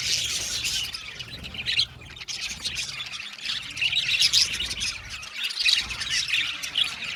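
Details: Blue male budgerigars in a lively chorus of shrill chirps and squeaky warbles, dipping briefly near two seconds before the dense twittering resumes.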